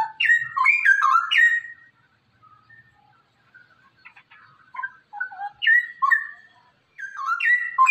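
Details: Caged straw-headed bulbul song, used to get other caged birds singing: a burst of loud, bubbling whistled notes, a quiet pause with soft fragments, then further ringing phrases of slurred, descending whistles.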